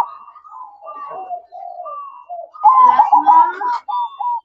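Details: Zebra dove (perkutut) at night: soft, level coos at first, then a loud bubbling, pulsed coo burst overlaid with a voice, and a short final coo.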